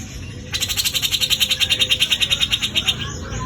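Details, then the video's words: Grey-cheeked bulbul from Java performing besetan kasar, a coarse rattling trill. Roughly two dozen rapid, buzzy pulses run steadily for over two seconds before stopping abruptly. "besetan kasar cucak jenggot jawa"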